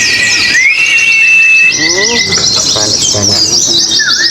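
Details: Oriental white-eyes singing at a contest hanging post, a rapid, dense run of high thin twittering and sliding whistled notes with little pause. Voices can be heard faintly underneath.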